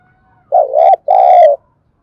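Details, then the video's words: Lure coo of a spotted dove meant to provoke and train newly caught birds: two strong, low, hollow notes, the second longer and sliding gently down, preceded by a faint steady tone. "Tiếng chim cu gáy kích bổi nhanh nổi, Tiếng cu gáy mồi thúc luyện bổi"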